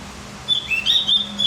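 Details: Brief high twittering burst from a Javan grey-throated white-eye, meant to fire up other birds: about one second of fast, thin, chattering warble notes.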